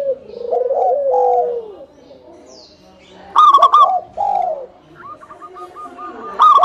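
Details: Lure song of local zebra doves meant to start other doves singing: a warbling, downward-sliding coo, a quiet pause, then bubbly stuttered phrases and a string of quick, evenly spaced higher notes.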